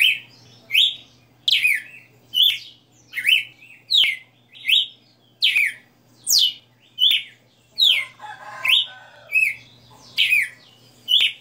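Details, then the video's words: Long steady run of 60 notas song by a kept red-cowled cardinal: about fifteen crisp whistled slurs, mostly falling, evenly spaced under a second apart, one phrase near the end rougher and lower, above a faint hum. "Galo de Campina 60 NOTAS Cantando Ao vivo"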